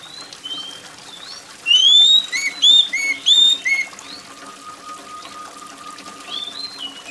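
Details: Loud, shrill gacor song of an oriental magpie-robin, used to get other birds singing. A dense cluster of bright whistled notes, then quieter scattered phrases and a steady faint tone beneath the patter of rain.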